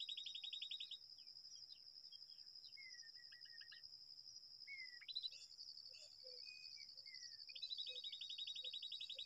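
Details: Babbler calls at a nest in a date palm: a short harsh chatter, a run of falling slurred notes, then another chattering burst near the end, with soft low notes and a continuous shrill cricket drone.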